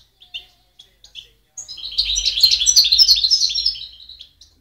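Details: A European goldfinch sings in 2010, opening with a few separate high chirps, then a dense, fast, jangling twitter of bright notes and short buzzy trills lasting about three seconds.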